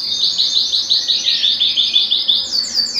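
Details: Belgian canary singing to stimulate males and bring females into breeding condition: rapid run of high descending chirped notes, about three per second-fraction, ending in quick upward trills.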